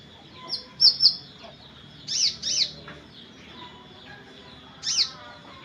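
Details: Sunbird from Purbalingga, Central Java, Indonesia, in a morning lure recording for a quiet bird: scattered very high, sharp chirps in pairs and singles separated by pauses, with a thin steady tone and quiet background.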